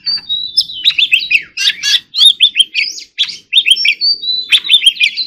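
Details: Oriental magpie-robin singing a lively chattering warble, with dense bursts of scratchy notes mixed with clear whistled slurs repeated in quick succession, and a few short silent gaps.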